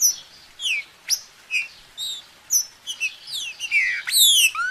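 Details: Green-winged saltator singing a busy run of sharp, descending whistled slurs and chirps, about two per second, ending in a louder, swooping phrase.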